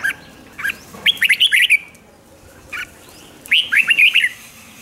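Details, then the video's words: Rik-style song of a red-whiskered bulbul, played for caged birds to get them excited: two bubbly phrases of short, rising-and-falling whistled notes, each under a second, separated by about two seconds of quiet. "เสียงนกกรงหัวจุก ร้อง ริก"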